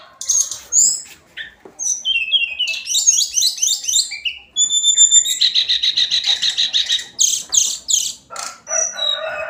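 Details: Hill blue flycatcher, or tledekan gunung, in daily song: rapid high chirps, a run of descending whistled notes, steady whistled tones, then a long stuttering buzzy trill and sharp squeaky notes.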